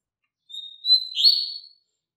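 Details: A long high whistled note sliding into a louder buzzy, slurred phrase, from a double-collared seedeater song played as a lesson for young birds.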